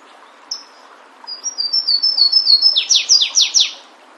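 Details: Flavescent warbler singing in the wild: a single high note, then a run of thin, level whistled notes that speed up and end in four loud, downward-slurred notes.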